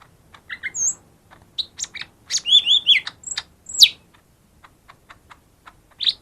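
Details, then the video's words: Lesser green leafbird song aimed at stirring reluctant singers: doubled chips, high thin whistles and a fast warbled run of slurred notes, ending with scattered sharp chirps. "suara burung cucak ijo mini yang paling ampuh buat pancing yang malas bunyi"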